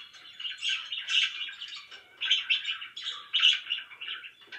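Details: Noisy pet budgerigars chirping: rapid clusters of buzzy, squeaky twitters roughly once a second, each swelling then fading, with a sharp burst at the end.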